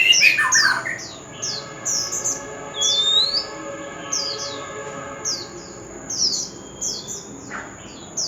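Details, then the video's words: Magpie-robin lure song meant to trigger singing; a loud opening flourish, then a series of high downslurred whistles at a brisk, slightly uneven pace, with a steady high tone in the background. "Chòe Than Bổi Nghe Là Hót – Âm Thanh Kích Hót Cực Mạnh"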